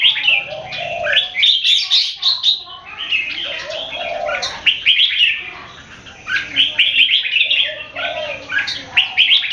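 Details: Red-whiskered bulbuls singing in a Singapore competition, open-tail bird versus long loud bird: rapid fluty warbling phrases, overlapping and repeated, with a quieter lull midway before the singing resumes.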